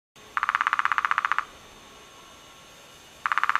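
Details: Hairy Woodpecker (Dryobates villosus) at Willow Creek Provincial Park near Claresholm, Alberta, in May 2004, calling: a rapid, even run of about fifteen sharp pulses lasting a second, then another after a short pause, over faint background hiss.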